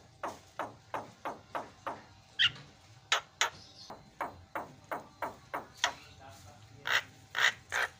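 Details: Javan myna (jalak kebo) performing as a lure to prompt silent birds: steady rhythmic chuck notes repeated about twice a second, with an occasional higher whistled note breaking in.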